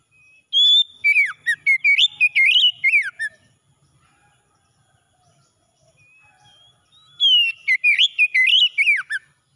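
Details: Morning song of an oriental magpie-robin, intended for stressed birds: a loud, rapid, varied phrase of whistles and chirps, near silence, then the whole phrase sung again.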